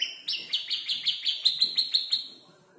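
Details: Five-month-old canary practising imitated tutor-bird phrases such as prinia and tailorbird sounds; a quick train of about ten sharp downward-sweeping chirps, fading at the end, with faint low background noise.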